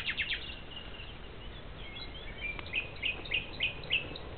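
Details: Nightingales singing in Susteren, Limburg: a series of clear rising whistled notes, repeated about three times per second, after scattered brief chirps; steady low background hiss throughout.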